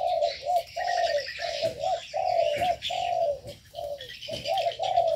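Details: Aviary birds in an aviary: steady low cooing phrases, each about half a second long, repeat almost without pause, while fainter high chirps and twitters run above them throughout.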